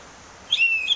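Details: Oriental magpie-robin lure song in 'ngeplong' style: a brief sharp whistle leading into a long level whistled note with a small flick at the end.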